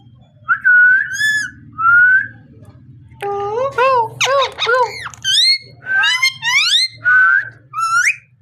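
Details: Parrot talking: a series of drawn-out vocal phrases with strong harmonic, voice-like tones, some whistled and rising, repeated with short pauses, over a low constant hum.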